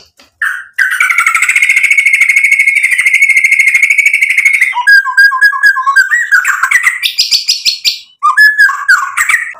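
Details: White-rumped shama of Medan type, singing a long buzzy rattling trill held for about four seconds, followed by varied whistled notes, quick chirps and clear falling phrases.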